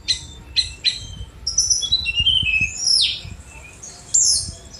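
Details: Sunda robin song with several sharp, stuttering strokes at the start, then high sliding whistles and a sweeping downslurred note, with a final buzzy flourish.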